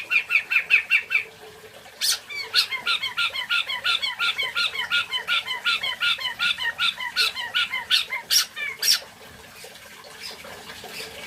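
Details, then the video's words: White-rumped shama, called national champion material, delivering fast repeated squeaky and scratchy notes in a steady rapid series, with bursts of high sharp chips and a quieter stretch at the end. "MATERI MURAI BATU JUARA NASIONALL"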